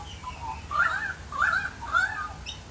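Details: Australian magpies carolling in a backyard in Australia while rain falls: three bursts of rich, gurgling, warbled phrases swoop up and down, set against constant rain patter and hiss.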